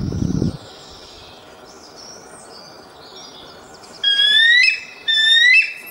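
A bald eagle gives two thin, high, squeaky whistled phrases about a second apart, each a quick run of piping notes. A low thump sounds at the start.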